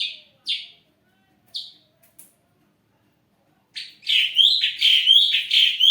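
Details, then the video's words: Ashy drongo kept in a cage, singing steadily: three short separate whistled notes, a pause, then a fast, rich warble of wavering whistles and chatter that runs on to the end. "srigunting abu gacor siang malam"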